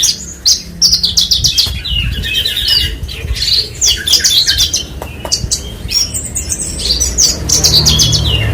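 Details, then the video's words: Continuous high branjangan song from a Horsfield's bushlark: rapid twittering, scratchy squeaks and stuttered whistles, with short pauses. A low droning noise runs throughout. "BURUNG BRANJANGAN"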